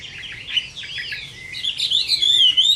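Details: Summer midday fighting song of a Chinese hwamei: soft jumbled warbling that builds into a loud, high, wavering whistled trill.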